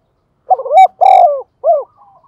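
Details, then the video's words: A single full cooing phrase from a decoy spotted dove with a thổ-style voice: a stuttered lead-in, a long steady coo, then a short arched final note, low and hollow. "Chim Cu Mồi/ cu gay kich boi nhanh noi"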